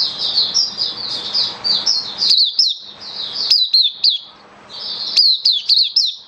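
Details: An Oriental white-eye in song display, recorded 27 October 2022, sings a rapid, high, twittering stream of thin warbled notes with a few sharp chips, almost without pause.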